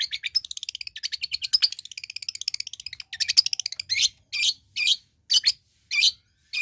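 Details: Long-tailed shrike song opening with a fast, dense stream of scratchy, twittering notes for about three seconds, then switching to single loud, harsh chak-like bursts spaced about half a second apart.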